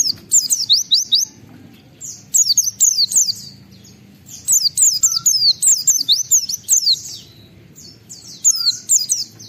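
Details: Oriental white-eye in full song, used as a lure to provoke other white-eyes to sing: bursts of rapid, very high, thin whistled notes sliding downward, delivered in clusters about every two seconds with short quiet gaps.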